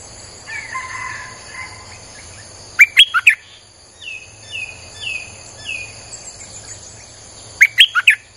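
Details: Streak-eared bulbul lure song for attracting wild birds: two snappy four-note phrases, separated by softer, lower downslurred calls from other birds and some faint chatter at the start.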